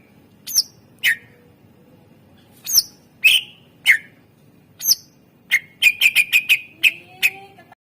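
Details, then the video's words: Greater green leafbird, a captive training bird for song luring: spaced harsh sweeping notes followed by a rapid string of sharp chips at an even pitch, over a low background hum. "masteran cucak ijo gacor ampuh untuk pancingan burung suara isian mewah"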